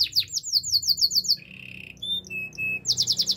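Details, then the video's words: Canary singing a training song: a rapid series of descending whistled notes, then a low rolling buzz, a few pure tonal notes, and another quick burst of falling whistles. "Beautiful voice of canary birds"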